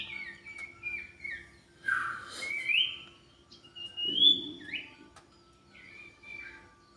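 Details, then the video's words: Common iora singing in a lively, vocal bout: long drawn, slightly rising whistles alternating with shorter slurred notes, pausing between phrases, with a brief noisy rustle in the middle. "Burung sirtu gacor"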